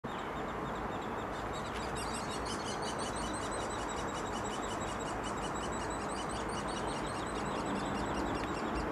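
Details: Hairy Woodpecker nestlings at a nest in British Columbia, where a parent feeds them, beg with a dense, high, buzzy chatter of rapid chirps starting after two seconds over steady hiss.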